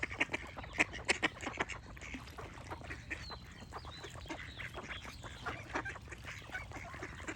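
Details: Ducks give loud, sharp quacks in a quick cluster at the start, then a softer, steady run of overlapping quacks, while thin whistled bird notes drift in the background.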